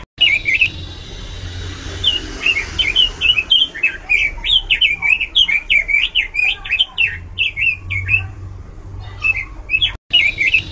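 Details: Loud, varied song of a Pekin robin. Whistled notes start sparse, then build into a long, lively stream of rapid, wavering phrases before a short break and a final few notes.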